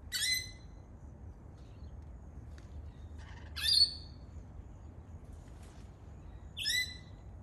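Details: Native Australian lorikeet, a parrot, giving three short, harsh, buzzy screeches spaced about three seconds apart, each loud and rich in overtones, with quiet faint background hum between calls.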